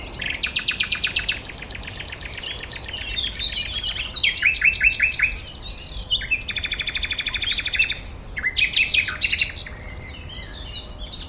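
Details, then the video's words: A common nightingale sings loud varied phrases of rapid, repeated high notes and trills, broken by brief pauses, the phrases coming every second or two over a soft background hiss. "Vogelkonzert Amsel, Nachtigall und Kuckuck"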